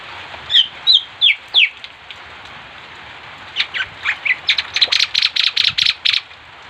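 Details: Bali myna imitating other birds, opening with a few slurred downward whistles, then a fast run of short harsh chattering notes that grow louder and quicker toward the end.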